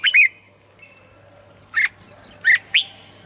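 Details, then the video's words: Red-whiskered bulbul song for stirring birds to sing: a quick double chirp, then three loud separate bright notes near the end, with faint whistles between. "เสียงนกกรงหัวจุก สำหรับต่อ หรือ เปิดให้นกคึก"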